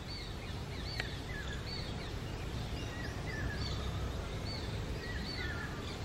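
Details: A hungry young Shikra calls to its parents, begging for food with thin, high whistled notes, some rising and some falling, repeated every second or so over a steady rumble of background noise.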